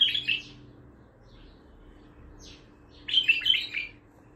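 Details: Untrained bulbul giving Baghdadi-style song: a high, sweet chattering phrase, a few thin quick sweeps in the gap, then a longer bubbling warble.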